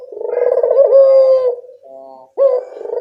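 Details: A local Barbary dove gives a lure call meant to draw replies from other doves: a deep rolling coo swelling into a sustained tone, a brief softer note, then another coo beginning.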